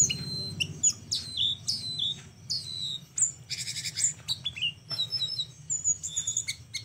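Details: Flowerpecker in a tutoring recording for other birds, singing in a very unique style: a run of sharp high downslurred chips, a short buzzy burst, then quick high twittering notes and thin whistles.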